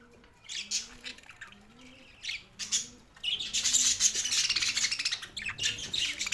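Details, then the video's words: Two male pet budgies: scattered sharp chirps at first, then from the midpoint a busy, continuous chattering warble of rapid scratchy notes, with a faint low hum underneath. "2 Male Budgies parrot chirping sounds"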